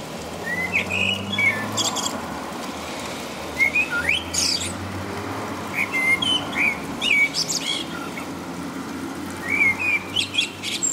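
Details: Common blackbird singing through the rain in the middle of the night in England, near 5 a.m.; repeated short fluty phrases with high twittering tails come every couple of seconds, over rain hiss and a low hum.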